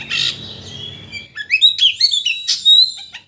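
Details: Oriental magpie-robin lure song to excite a bird into unloading its repertoire; a brief rough burst, then crisp, varied whistles and sharp chirps in quick phrases.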